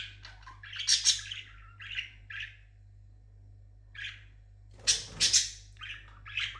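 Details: Pet parrot vocalizing indoors: short bursts of harsh, buzzy squawks and chirps in clusters, with a loud double squawk near the middle and quiet pauses between phrases; low steady hum underneath.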